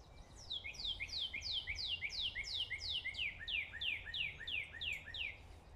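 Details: A northern cardinal sings in the morning among other songbirds, a fast, steady series of loud, clear down-slurred whistles, about three per second, over a quiet low background hum.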